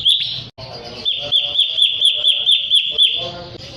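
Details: Sooty-headed bulbul song used as a lure to provoke rival birds into singing: a high, bright tonal note pulsing steadily about twice per second over a sustained whistle, with low background rumble and clicks.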